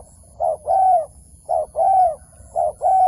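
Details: Wild dove near a trap giving three paired coos, each a short note followed by a longer, slightly falling one, about a second apart.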